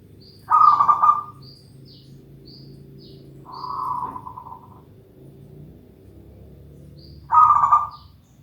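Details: Zebra dove (perkutut) singing steadily. Short rough, trilled coo bursts, each under a second, come at intervals of a few seconds. Faint high chirps are scattered throughout over a low background hum.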